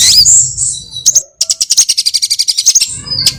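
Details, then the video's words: Sunbird lure call for bird trapping: a bright high squeal and upslurred chirp, a short gap, then a fast even run of ticking, twittering notes ending in a rising whistle. "Suara pikat semua jenis burung kolibri"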